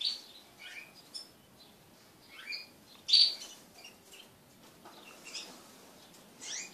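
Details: Several pet crested canaries kept together during mating give scattered short, high chirps and quick downslurred whistled notes at irregular intervals, with one louder sharp note near the middle and soft rustling between.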